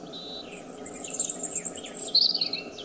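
A robin sings high, thin, sweet phrases of sliding whistles and quick trills that shift in pitch, over a soft low background rumble.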